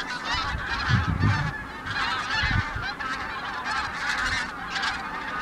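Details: Flock of wild geese passing over Lake Nysa in Poland on 31 January 2021, calling constantly: dense overlapping honks and yelping notes form a continuous chorus, with occasional low thuds and rumble underneath.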